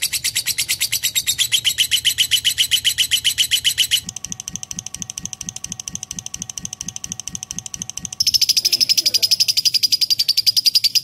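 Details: Shrill, rapid lovebird chattering at the start gives way to a quieter pulsed ticking with a steady tone, then a fresh burst of high, fast, thin chirping to the end.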